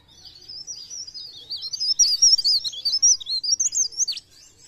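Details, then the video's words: Mountain leaf warbler in full, lively song, used as a lure to coax other birds to sing: a continuous high-pitched twittering run of rapid zigzag notes lasting about four seconds. "Cikrak daun | pre pare | blereng gacor untuk pancingan bunyi"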